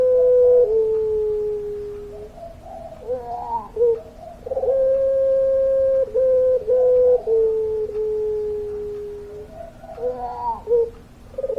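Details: Puter pelung dove in full, vigorous long-voiced singing: a run of low droning coos, some held two or three seconds and gently falling, broken by bubbly rising grace notes, repeated through the passage.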